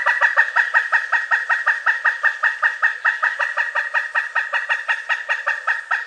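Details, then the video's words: Long run of loud, clipped wuk notes from a pileated woodpecker, steady at roughly two to three per second; the bird uses such calls to contact its mate or keep rivals out of its territory. "Pileated Woodpecker Sounds: Call, Drumming, Mating Voice & More Explained!"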